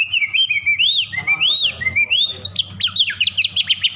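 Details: Agitated, over-excited Oriental magpie-robin singing to provoke other magpie-robins into song: looping high whistled phrases slide up and down, then break into rapid sharp chipping notes, with a faint low hum beneath.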